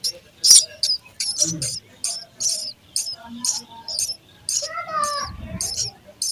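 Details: Feeding time at a sparrow nest: young birds chirp in high, clipped notes roughly twice a second, with a short descending twitter near the end.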